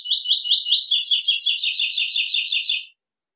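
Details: Double-collared seedeater (coleiro) singing the classic three-note 'tui tui' style: four clear, slightly rising notes, then a fast, buzzy, evenly repeated series of double-toned notes lasting about two seconds before stopping abruptly.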